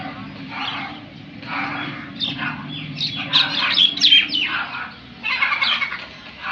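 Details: Crow giving harsh, broadband cawing bursts in uneven groups, several close together around the middle, then a louder pair toward the end, with a steady low hum underneath.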